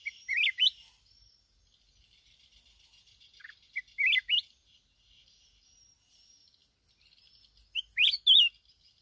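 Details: Red-whiskered bulbul (chào mào núi), a newly trapped wild bird from Bình Thuận, Vietnam, sings three short warbled phrases of sliding whistles, spaced roughly every four seconds, with a faint hum between them.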